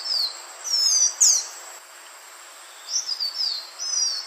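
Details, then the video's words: Green iora calling, played as a lure for wild birds: clear high whistles, some long and level, some sharply rising, given in two short groups split by a silent stretch of over a second. "SUARA BURUNG CIPOH JANTUNG UNTUK PIKAT DURASI PANJANG"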